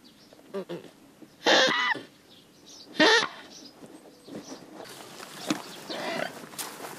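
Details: Swans being freed: two loud, nasal, honking calls about a second and a half apart, then quieter rustling and faint calls in the background.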